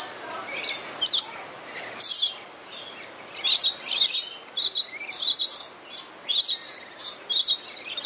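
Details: Lorikeets playing at Lowry Park Zoo in Tampa, Florida, give harsh high screeching chirps in quick bursts, about two a second toward the end, with overlapping shrill notes.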